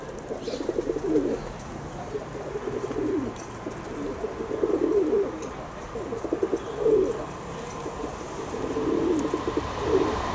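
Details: Kept pigeons cooing in repeated bursts roughly every two seconds, each a deep, rolling, gurgling phrase that swells and fades, over a low background hiss.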